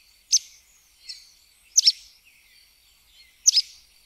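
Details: Short, high, penetrating chips from a sooty tyrannulet, some doubled, arriving at irregular gaps of under a second to about one and a half seconds, with soft chirps in the background.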